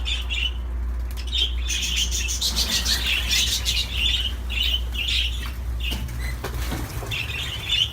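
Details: Budgerigar song: scratchy chattering warble with squawky notes and clicks in quick, irregular bursts, pausing briefly between phrases, over a steady low hum.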